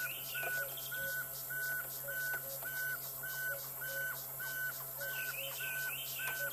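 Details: A pearl-spotted owlet gives a steady series of clear, level whistles, nearly two per second, with fainter lower and higher notes. Heard near the Buffelshoek cutline in the African bush on a sunset safari drive on 8 November 2016.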